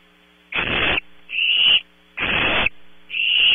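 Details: Barn owl owlets in a nest cavity at Audubon Starr Ranch, California, at night, on a close-up camera: harsh broadband hisses about half a second long, alternating between two tones, four in under four seconds, over a steady electrical hum.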